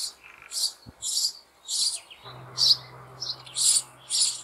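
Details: Sparrow nestlings in an apple tree hollow in May demand food from their parents; high, harsh rasping calls in irregular bursts, with a low steady hum entering partway through.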